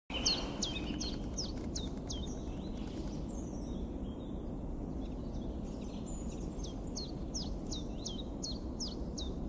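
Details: Common chiffchaff singing in Kazan, Tatarstan, in April 2016. It gives two bursts of sharp, quickly repeated high notes, about six to eight in each, with a pause between them. Steady low rumbling background noise runs throughout.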